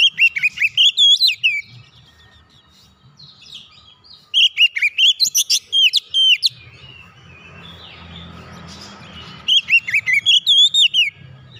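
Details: Oriental magpie-robin song for coaxing silent birds back into song: three lively bursts of loud whistled notes with looping slurs, about ten notes each, with a soft rumbling background between them.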